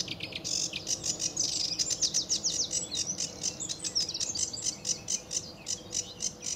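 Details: A lively sedge warbler sings in early morning sun at RSPB Fowlmere, July 2013, pouring out a dense, scratchy, rapid jumble of high chattering notes with scattered whistled phrases, barely pausing.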